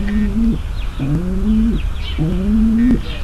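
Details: Mating call of a female pigeon, meant to ready the male for mating. Three drawn-out, low coos, each gliding slightly upward before breaking off, with faint chirping in the background.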